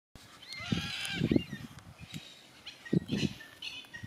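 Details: Yellow-tailed black cockatoos in Tasmania, Australia, giving drawn-out harmonic wailing calls in the first second and a half, fainter wails later, over low knocking thumps and rural background.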